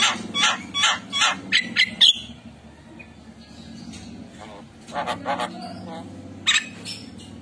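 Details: Tame Javan myna outside its cage giving a quick run of harsh, squawky notes, then scattered raspy bursts after a pause, over a low steady background hum.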